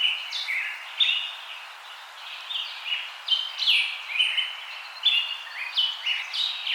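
Birds chirp continuously in high, bright notes, several voices overlapping in quick bursts roughly every second against a faint forest hiss.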